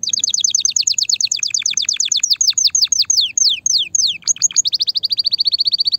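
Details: Loud, excited male canary singing to stimulate females for mating and nest building: fast trills of high descending notes that slow into longer downward sweeps, then a rapid steady trill near the end.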